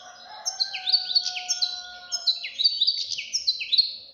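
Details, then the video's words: Young European goldfinch in continuous song, rapid chattering notes that slur downward and tinkle, several per second, with a faint steady whistle-like tone underneath at first. "غناء فرخ طائر الحسون"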